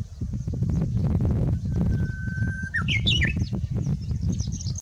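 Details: Japanese bush warbler singing: a long, steady whistled note held over a second, then a quick rising and tumbling flourish of clear notes, over heavy low rumbling background noise.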